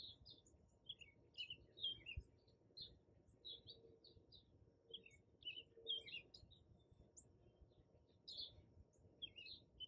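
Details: At a morning feeder, hummingbirds give scattered bursts of high squeaky chips and twitters, recorded by an iPhone 11 on a tripod beside the feeder; quiet gaps between bursts and a faint low hum behind.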